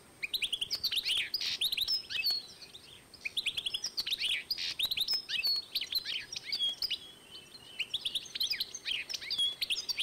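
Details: Goldfinch x canary hybrid, 2012, pouring out near-continuous twittering song of high, sliding chirps and buzzy notes with only brief breaks.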